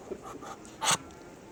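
A Muscovy Duck gives one short, breathy hiss lasting about a tenth of a second, with soft faint murmurs before it.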